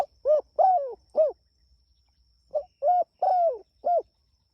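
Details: Spotted dove calling its companions. Two phrases of soft, low coos follow each other closely, each built around a long coo that slurs downward, with a faint low hum in the background.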